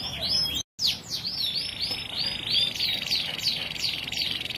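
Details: Canary song: rapid series of high, downward-sweeping chirps repeated several times per second in a fast, steady trill, with a brief dropout near the start and a constant background hiss.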